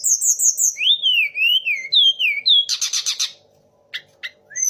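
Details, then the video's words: Song of a Sunda laughingthrush that copies three birds: magpie robin, white-rumped shama and orange-headed thrush. Descending whistled phrases repeat in a rolling pattern, then a dense buzzy trill and scattered sharp notes. "TLEDEKAN GUNUNG DENGAN TIGA RASA BURUNG"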